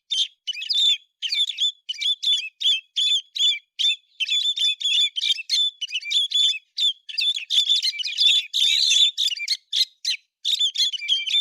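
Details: Bird locally called héc xoan, recorded in September 2020, giving a fast, sustained run of sharp chirps and twittering notes around a steady high pitch, phrases packed closely with short gaps, busier and denser near the end.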